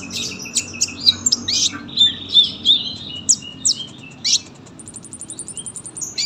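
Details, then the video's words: Sunbird giving active, full song meant as a tutor recording: quick high chirps and squeaky, slurred notes in an uneven run, then a long even ticking rattle before a final burst. "KOLIBRI GACOR PANJANG SUARA RAPET"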